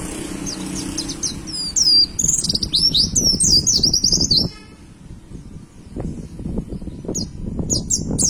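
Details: Caged white-eye singing as training material for pet birds: quick high twittering phrases from about two to four and a half seconds, later a few sharp chirps, over noticeable low background noise.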